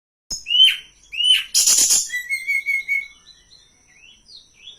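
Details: Hill blue flycatcher song used as a tutor and lure for training birds: two short upslurred whistles, a loud harsh burst, then a run of level repeated whistled notes fading into soft high twitters, over a steady high whine.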